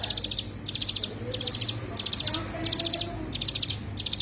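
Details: Hill prinia song as a master recording for training songbirds. Tight bursts of about five high, ringing staccato notes are separated by short gaps, repeating steadily about every two-thirds of a second, with faint low background sound.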